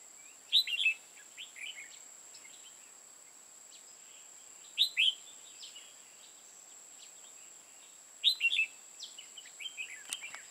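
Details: Decoy Red-whiskered bulbul used for trapping in Hòa Bình, Vietnam, repeating a loud short warbling whistled phrase roughly every four seconds, other birds chirping softly in between, a faint click and constant high whine.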